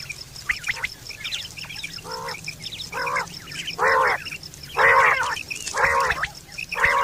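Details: Quail sound from September 2023, used for hunting and mating: faint chirps at first, then harsh, buzzy bursts repeated about once a second, growing louder, with a steady high hiss behind them.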